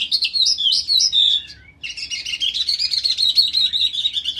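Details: Skylark singing in a ravine: a continuous, high, rapid twittering warble of mixed trills and chirps, broken by one short pause, then resuming as a dense unbroken stream.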